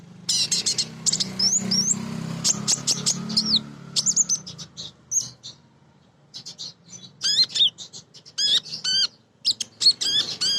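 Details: Female Crimson sunbird singing vigorously, a call to males in the wild, used as a lure for birds to sing: sharp high chips and short upswept whistled notes in quick bursts, with a low hum early on.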